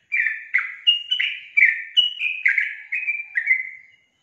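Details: Sooty-headed bulbul in full song, a continuous cascade of clear, bouncy whistled notes, each slurring down, delivered rapidly for about four seconds before stopping.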